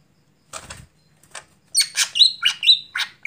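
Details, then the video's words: Greater green leafbird singing after dark. A soft flutter of wings opens, then come quick scratchy notes mixed with bright, sliding high whistles, about two a second. "Mitos Cucak Hijau Gacor Malam Hari Tidak Bisa Buat Lomba"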